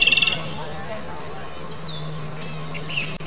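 Japanese robin giving a brief, rapid high rattle of about eight clipped notes, followed by faint thin whistles over a steady low hum.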